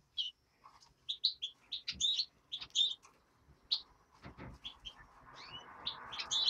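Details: Nestling European greenfinch giving a fast run of short high chirps and buzzy notes, some rising, over a soft steady background hiss that grows toward the end.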